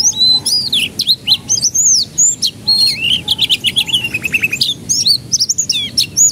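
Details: Canary song used as a lure to get young canaries to start singing: rapid varied whistled phrases, arched and rising notes high up, mixed with fast trills and buzzy repeated syllables, continuous throughout.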